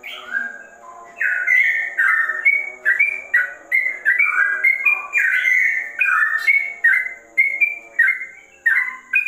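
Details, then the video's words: Ropel-style singing by a sooty-headed bulbul, compared to a straw-headed bulbul: a soft opening note, then a lively chain of clear, bouncing whistles and short warbles, evenly paced, over a faint electrical hum. "BURUNG TROCOK TRUCUKAN ROPELL RASA CUCAK RAWA"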